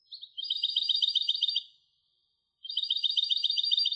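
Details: Two quick, ringing trills from a European goldfinch hybrid, each a dense run of high repeated notes, separated by a one-second pause. Clean and quiet background.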